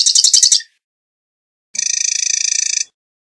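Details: Two marsh wren songs: the end of a fast, sputtering high trill, then after a pause a steady, mechanical, buzzing rattle lasting about a second.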